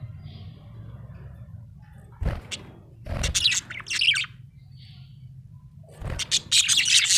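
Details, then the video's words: Happy budgerigar producing sparse raspy chirps and chatter bursts among several clicks and knocks, over a continuous low hum. "Happy budgie chirping sound"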